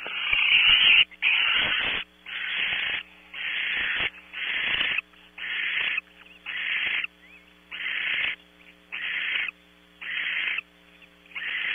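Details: Barn owls at a nest box in Audubon Starr Ranch, California, before 6 a.m., with the male bringing prey; harsh, broadband hissing screeches about one second long, repeated roughly every second in a steady series.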